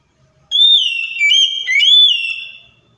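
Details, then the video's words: Provoking phrase of an Oriental magpie-robin (kacer), meant to make a quiet, stressed bird reply: one strong whistled run of sliding notes with abrupt dips, about two seconds long, in near silence. "KACER MACET, STRES LANGSUNG NYAUT DENGAR PANCINGAN KACER INI!"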